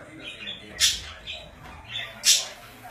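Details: Pet budgerigars kept at home give two harsh, broadband squawks, each a short burst about a second apart, over soft, scratchy chatter.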